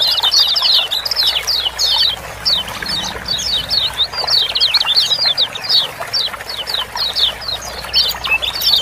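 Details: Ciak-ciak chatter of the kecial kuning (Lemon-bellied white-eye), used to draw song from reluctant birds. Long stream of piercing high chirps in quick bunches, several overlapping voices, steady throughout with faint hum underneath.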